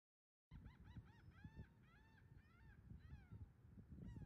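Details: American oystercatcher on Sedge Island, Ocean County, New Jersey, recorded August 30, 2018: a rapid series of loud, piping, arched whistled notes, some in quick pairs, over steady low wind and surf rumble.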